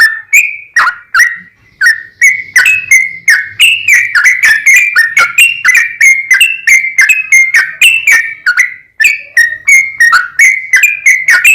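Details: Extended, vigorous yellow-vented bulbul song intended as a lure to get other bulbuls singing: a steady chain of bright, clipped whistled notes about three per second, gently wavering up and down in pitch throughout.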